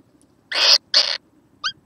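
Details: Little kookaburra recorded on 6 November 2014: two loud, noisy, scratchy squawks in quick succession, followed by a brief, thin, downward-sliding whistled note.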